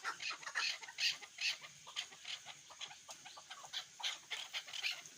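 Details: A hunting chukar partridge utters a fast, uneven run of rough, chucking notes over steady background noise. Louder bursts stand out near the start and the end.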